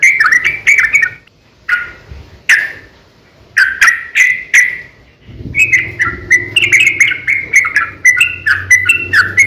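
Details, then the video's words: Sooty-headed bulbul, its fighting song used as a lure to make other bulbuls sing: bursts of bubbly, slurred notes near the middle pitch, in short phrases with brief pauses, busier and more continuous in the second half, with a low hum underneath. "KICAU SUARA trucukan gacor ROPEL panjang pancingan trucukan agar bunyi"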